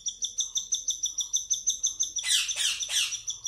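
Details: Baby cockatiel begging at hand feeding: a rapid, regular chain of clipped high chirps, then three loud, harsh bursts near the close.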